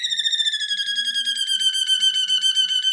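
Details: Waterslager canary singing for training: a single long, flute-like whistled tone that wavers slightly and slides slowly downward in pitch over about three seconds.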